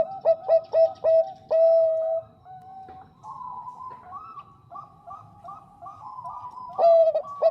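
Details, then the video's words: Female Bangkok zebra dove calling the male: several loud, quick, mellow coos and a held note, followed by a softer, faster chain of bubbling coos, then loud stuttered notes again. "PERKUTUT BANGKOK GACOR SUARA JERNIH MENGUNDANG BUNYI"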